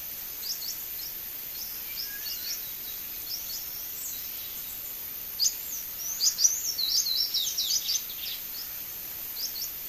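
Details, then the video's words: Sayaca tanager fledgling fallen from the nest calling: high, thin chirps and short squeaky notes scattered through the clip, growing denser and louder in a burst near the middle, over a steady hiss of background noise. "SANHAÇO-CINZENTO filhote caiu do ninho (THRAUPIS SAYACA), SAYACA TANAGER, PIPIRA-AZUL, SANHAÇU."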